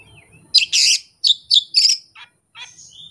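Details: Caged Oriental magpie-robin unloading its repertoire of song fill phrases with no tutor bird and no rival: loud, high, buzzy bursts and sharp whistled notes in quick clusters, separated by short pauses.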